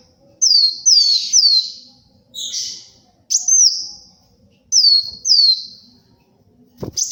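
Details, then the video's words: Kolibri wulung sunbird in lively song, used for luring and tutoring birds: high thin whistled notes sliding downward, given in quick pairs and triplets with short pauses between bursts. "SUARA BURUNG KOLIBRI WULUNG GACOR, UNTUK PIKAT & MASTERAN"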